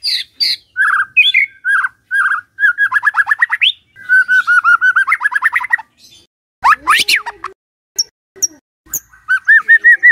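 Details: Morning White-rumped shama song used to coax a quiet bird into singing: varied whistled phrases, rapid repeated trills, buzzy rising notes and abrupt chattering bursts, with a short pause midway.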